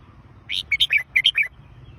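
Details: Red-whiskered bulbul giving one brisk phrase of about seven bright, whistled notes in under a second, each note dipping and rising, against a quiet low hum.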